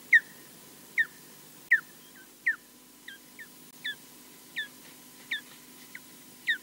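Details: An osprey at its nest at Loch Garten, Scotland, defending alone against a mostly unseen, distant intruder, gives sharp, whistled, downslurred calls, about ten in under seven seconds at an uneven pace, over a faint steady hum.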